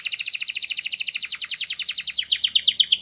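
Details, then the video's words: Canary song made of a steady, rapid trill of high, doubled notes, repeated many times per second and rising slightly in pitch toward the end. "تغريد كناري راااقي"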